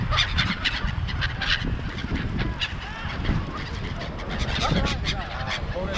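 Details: A large flock of seagulls at Songdo in Busan, South Korea, giving many overlapping harsh, squealing calls in quick bursts over a steady low rumbling background noise.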